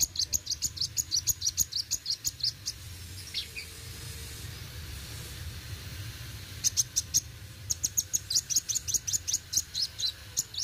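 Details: Olive-backed sunbird (kolibri wuling) in full 'roll tembak' song: bursts of very high, sharp ticking notes in rapid runs, a quiet pause mid-way, then another fast run, over a steady low hum.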